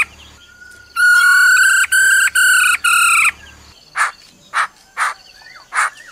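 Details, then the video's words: Female laughingthrush calling "ro ro" to stir a male: a drawn-out rich pulsed note in four segments, followed by four spaced harsh rasping bursts. "Khướu mái ro ro kích trống"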